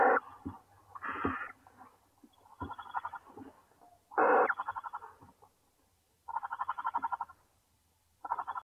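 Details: Owlets from a clutch of eight hatched eggs, huddled in a warm pile in the nest as their mother returns: harsh, raspy, pulsed hissing calls in bursts of one to two seconds with short gaps, over a faint low hum.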